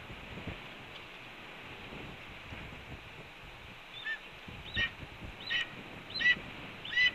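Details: Red-tailed hawk at its Cornell nest, 7 April 2013, 8:39 AM, signalling a food delivery: after a quiet start, five short hooked calls grow louder and arrive about every 0.7 seconds, over a faint hiss.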